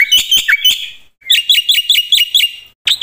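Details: Black-winged myna in loud, full song: bright ringing notes repeated in quick runs, each with a short downward flick, separated by brief pauses.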